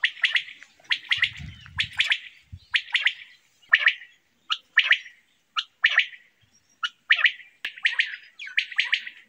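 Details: Quail calling: harsh, chirpy bursts of two to four quick notes, repeated roughly every second, with brief low rumbles in the background.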